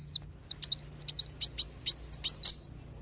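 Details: Kolibri wulung and sogon lure sound to attract wild birds: a fast run of thin, high chirps and sharp chips, slowing toward the end.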